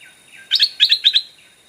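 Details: Stripe-throated Bulbul used as a decoy, calling to draw in wild birds. Three quick paired bursts of sharp, bright chirps over a clean, quiet background.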